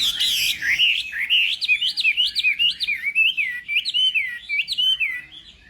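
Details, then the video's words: Morning contest-training song of a Chinese hwamei: a clear series of loud down-slurred whistles repeated roughly three times a second, each note sliding quickly from high to lower. "Hoạ Mi Hót Đấu /hoạ mi hót sáng luyện giọng kich bổi sổ giọng chim hót hay mỗi ngày/"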